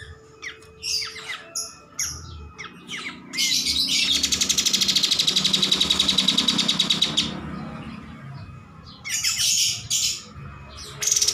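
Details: Master recording of a vigorously singing cream-striped bulbul: scattered high chirps, then a long even buzzing trill of fast repeated notes lasting about four seconds, followed by more chattering bursts, over a low background rumble.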